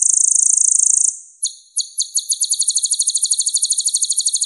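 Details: Purple-throated sunbird (kolibri ninja), a bird able to mimic other birds, produces a one-second high buzzy note, a brief break, then a long, even, rapid high trill that speeds up toward the end. No other sounds.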